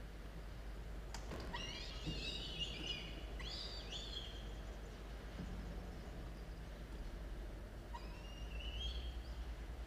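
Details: Falcon chicks, 17 and 13 days old, at a nest with a camera, recorded at 06:02 on 27 October 2022; harsh, harmonic squealing calls in short bursts early on and again near the end, over a steady low rumble.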